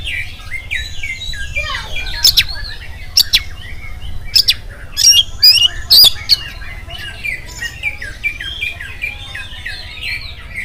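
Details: Oriental magpie-robin singing in the morning to set off other magpie-robins: a dense, continuous warbling of varied chirps and whistles with a few sharp, harsh clicks through the middle.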